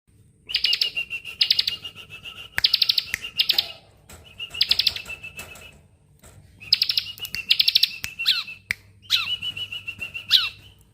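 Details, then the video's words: Bar-winged prinia song recorded as a master track for training songbirds: repeated bursts of dense, rapid buzzy trills near the high register, each lasting about a second, with short downslurred whistles between phrases. "ciblek bren rapat cocok buat masteran"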